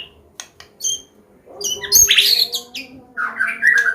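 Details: White-rumped shama from Medan singing a combination song for teaching young birds: sparse sharp high notes, then a dense loud burst of harsh, buzzy chatter and a rolling warble, with a low background hum.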